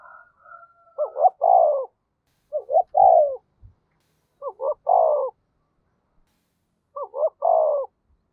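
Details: Spotted dove used as a decoy to stir wild birds: four mellow phrases, each two short rising hoots and a longer falling coo, repeated about every two seconds, with faint taps.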